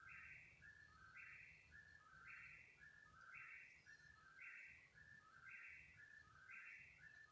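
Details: At 3 in the morning an unidentified bird calls persistently for about half an hour; repeated whistled triplets, a middle note, a higher rasping burst and a dropping slur, cycling near once per second over background hum.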